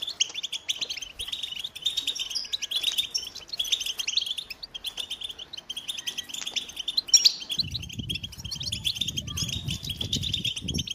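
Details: Twittering song of a European goldfinch, Carduelis carduelis: rapid high chirps and trills run without a break. Low rumbling noise enters during the last three seconds beneath the continuing chatter.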